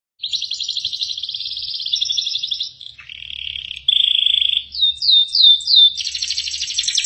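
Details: Canary in full song: dense buzzy trills, a low rattling roll, a steady flat tone, then a series of four rising-falling whistled swoops and another bright fast trill, clean with no other sounds.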